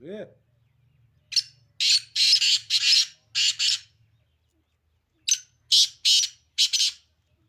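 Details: Sindhi kala titer, the black francolin, calls twice: rhythmic phrases of five or six loud, scratchy notes separated by a silent gap, after a brief low tonal sound at the start.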